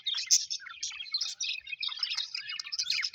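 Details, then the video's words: Several pet budgerigars, described as happy, keep up a steady stream of chirps and warbles, busy overlapping twitter with short sharp notes, no other sounds. "Happy budgies chirping sound"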